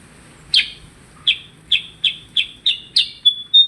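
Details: Percang bird in lively song: a single sharp chirp, a short pause, then a quick series of bright, down-slurred chirps ending in a thin, drawn-out whistle, against faint low hum.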